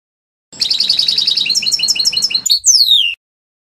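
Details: European goldfinch recorded for a 2020 song CD: quick repeated chirping notes, a faster tinkling phrase, then clear high whistles sliding downward.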